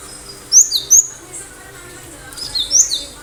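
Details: Cinereous tit singing energetically: two short phrases of piercing high whistles, each of three or four downslurred notes, with about a second and a half of quiet between them.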